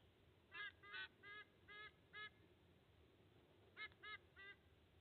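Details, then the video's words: Male sea eagle bringing food to two eaglets at a nest in Australia, 30 August 2024; a loose series of five honking, goose-like notes, a two-second pause, then three more honks. "Eagle dad brings lunch for two eaglets"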